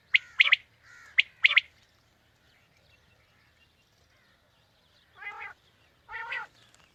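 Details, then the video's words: Quail calls for attracting quail on a morning hunt: two bursts of sharp, clipped whit wit-wit notes, a pause of several seconds, then two drawn-out nasal, buzzy notes. "Quail Calling 2020 | Batair Ki Awaz suba ki shikar Ki liye|Saaf Batair Ki Awaz"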